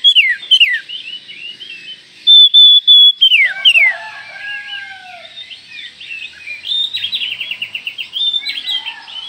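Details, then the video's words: White-rumped shama call said to trigger other shamas in seconds: varied sliding whistles, a long flat pure note, falling slurred phrases, then a rapid rattling series of short repeated notes. "panggilan Kacer ini mampu mendobrak emosi semua Kacer dalam hitungan detik"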